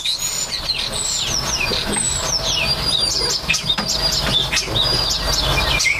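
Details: Starlings busy nesting and building nests: a steady stream of thin whistles, downslurred squeals and sharp chirps high in pitch, overlapping continuously, with a low background rumble.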